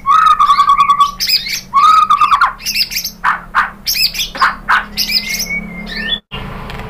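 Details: White-rumped shama song played to provoke other birds to sing: rapid trilled phrases, harsh rasping squawks and short broad bursts, ending in a thin rising whistle, over a low hum.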